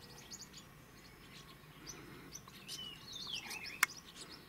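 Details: Green-rumped parrotlets, males and females feeding together in Trinidad, give soft, high chirps and a thin twittering call that slides downward, over a steady hiss of background noise.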